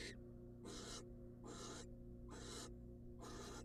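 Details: Wild barn owl female in a nest box getting a rat from her mate; five short, airy screeching hisses at an uneven pace of just over one a second, backed by steady low-pitched hum.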